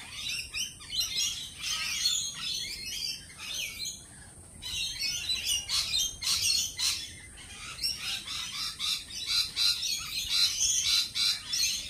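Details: Many lorikeets at a cafe create a dense, rapid clamour of sharp screeches and chirps, very frequent and overlapping, briefly easing near four seconds.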